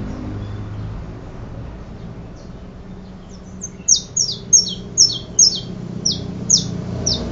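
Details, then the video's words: Saffron finch song: after about four seconds of quiet background, a run of high, sharp chirped notes, each sweeping downward, repeated roughly twice a second in a loose rhythm. "Canario da terra"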